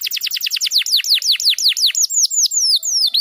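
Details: Tutor song for young canaries: a fast, even volley of piercing downward-slurred whistles, then slower, longer drawn-out slurs toward the end, clean and loud with little background.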